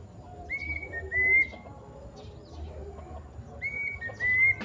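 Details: Kedasih or plaintive cuckoo giving a long call: two bright whistled phrases about three seconds apart, each a pair of steady, slightly upslurred notes, over quiet low background noise.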